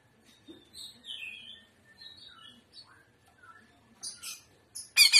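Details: Greater green leafbird (cucak ijo) singing in the trotolan style called gaya udang: faint, varied whistled phrases, some rising and some falling, scattered through the clip, ending in a short loud burst of harsh notes.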